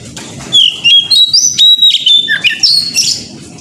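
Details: Oriental magpie-robin (kacer) morning lure song, played to spur other magpie-robins into singing: loud, fast, varied whistled phrases with sliding notes and buzzy trills, delivered in rapid bursts over a low rumbling background hiss.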